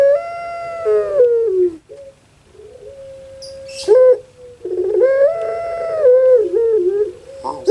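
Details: Domestic puter pelung dove in Java, Indonesia, compared to a crying baby: two long wailing coos, each opening with a rough stutter, rising slightly then dipping down, separated by a soft level hum and a chirp.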